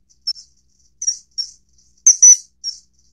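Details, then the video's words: Common kingfisher, recorded within its range across North Africa, Europe and Asia, giving short, shrill high whistled notes in an irregular series, some doubled, with near silence between calls. "翠鳥/Common Kingfisher"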